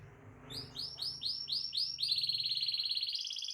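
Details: Tutor song from a hard-singing canary meant to get other canaries singing: evenly spaced arching high notes about four per second, running into a steady fast trill at the end.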